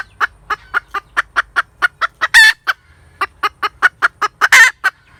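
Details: Hen cackle: a quick string of short clucks roughly four per second, punctuated by two prolonged harsh squawks, then further clucking.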